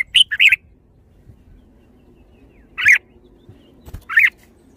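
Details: Red-whiskered bulbul giving short, bright warbled phrases: a quick double burst at the start, then two more rich, rolling notes spaced about a second apart, with quiet background between them.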